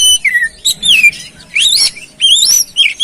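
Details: Song of an oriental magpie-robin played to coax a reluctant bird into singing: rich whistled phrases that rise and fall, some notes swooping upward, delivered in loud bursts with brief gaps.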